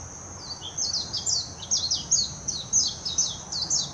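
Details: Warbling white-eye in Hashimoto, Wakayama Prefecture, Japan, recorded 26 June 2021 on a Nikon Coolpix P900: an energetic, tumbling song of many rapid high chirps and slurred whistles, nearly unbroken, above a constant shrill hum.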